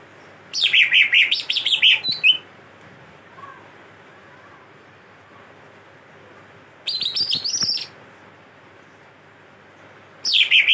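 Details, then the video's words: Greater green leafbird in full, talkative chattering song that includes imitations of the songs of birds called cililin and kastem. It delivers three bursts of rapid, high, scratchy twittering and warbled notes, about a second long each, separated by quiet pauses. "cicak hijau/cucak ijo gacor cerewet isian cililin & kastem"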